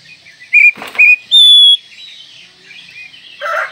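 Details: Oriental magpie-robin (kacer) song for training other songbirds: a few short, clear whistled notes, then a longer bright whistle, with a brief burst of rougher, lower notes near the end.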